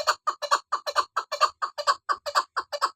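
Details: Rapid, raspy clucks from a female chukar partridge, about five notes a second in a tight rhythmic burst.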